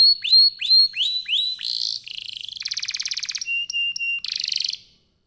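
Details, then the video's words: Vigorous canary song meant to trigger other canaries to sing: four loud rising swept whistles, then a buzzy note, a long fast rattling trill, clipped chips and a final harsh buzz before it fades. "Kenari gacor, Apapun jenis jenis anda pasti akan terpancing bunyi dengan pancingan kenari ini"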